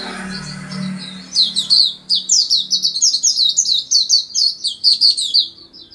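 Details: Oriental white-eye from Yogyakarta in a chatty, distinctive song: after a faint low hum, a long, fast stream of high, sweet twittering and warbled notes rising and falling, steady and busy to the end.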